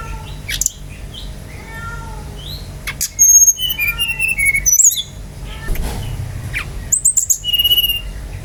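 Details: Brown-chested jungle flycatcher singing vigorously to prompt other birds: soft falling whistles at first, then louder rapid sequences of high clear notes and short sweeping trills separated by brief silences.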